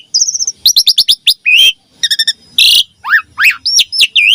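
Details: Lure song of a Javan pied starling for training young birds: a buzzy whistle, a run of rapid sharp chirps, a harsh rasp, then rising and falling slurred whistles.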